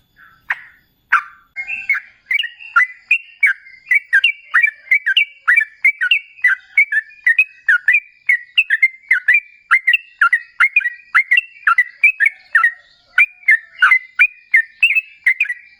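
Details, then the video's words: Trucukan, the sooty-headed bulbul, giving lure song in ropel ngalas style to draw replies from other bulbuls; a steady unbroken run of about thirty short whistled, down-slurred notes, roughly two each second. "Suara TRUCUKAN GACOR Ropel Ngalas"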